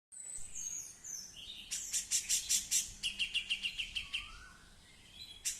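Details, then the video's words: Female Grey-cheeked Bulbul that has already laid eggs gives a lively, high song: thin whistles, then a fast burst of bright repeated notes, about two per second. "Cucak Jenggot cewe / betina gacor"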